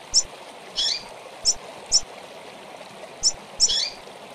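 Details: Female double-collared seedeater calling, recorded as teaching audio for a caged bird: short, high, sharp chirps given singly and in quick pairs at uneven intervals, over a steady rushing background like running water.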